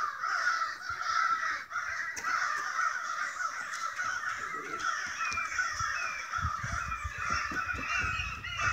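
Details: Crows in a big noisy group by a home, agitated for reasons unknown: a steady wall of raucous cawing from many birds at once, with low rumbling handling noise near the end.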